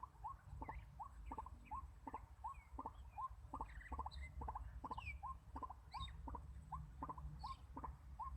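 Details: White-breasted waterhen decoy for bird trapping repeating a monotonous rising note about twice per second, with accompanying clicks and occasional higher whistles and chirps from other birds.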